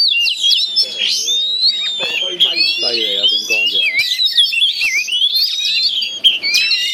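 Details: Fighting caged Oriental magpie-robins facing each other through joined cages of a Chinese cage; fast, overlapping high whistled trills and slurs fill the whole stretch, with people chatting beneath.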